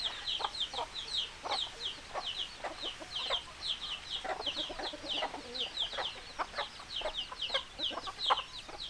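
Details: Flock of hens clucking steadily: many short high chirping notes with lower clucks, repeated throughout in an overlapping busy chorus.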